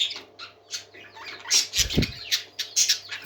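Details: Lively parakeet song, a mass of scratchy chattering and squeaky notes, with a brief dull thump midway and a steady low hum.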